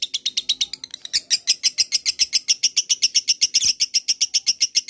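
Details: Lovebird ngekek trill, a lure for other lovebirds: quick, regular high chattering notes, about four per second, growing louder and more even through the passage.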